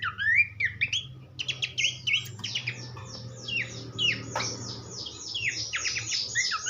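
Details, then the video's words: Horsfield's babbler singing, recorded as a tutor track for training songbirds: fast, varied whistled and chirping phrases with rising and falling notes and brief pauses, over a low steady hum. "vokal mewah sang guru masteran khas pelanduk semak."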